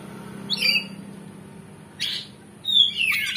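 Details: Kacer (oriental magpie-robin) song used to provoke a rival and raise its fighting spirit, styled ngeplong with varied fill; a few separate whistled and buzzy phrases, some descending, with gaps between and a steady background hum.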